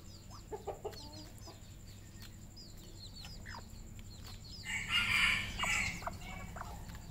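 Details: Red junglefowl on a farm in Cambodia: scattered high, thin downslurred peeps from several birds, a few short low clucks early on, and a louder harsh, broad burst of calling around the fifth second over steady low background hum.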